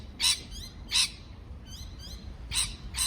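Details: Parrot giving loud harsh chirps at the start and end, with soft descending whistled squeaks in the quieter middle stretch.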